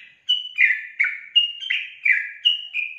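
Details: Sooty-headed bulbul singing profusely: bright, bubbly whistled notes, each sliding downward, delivered in quick alternating high and lower pairs, about eight notes in three seconds, clean and close with no other sounds.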